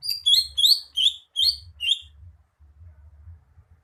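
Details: Rapid series of bright, high, slurred chirps from a greater green leafbird, about six notes in two seconds, then quiet with only low muffled thumps.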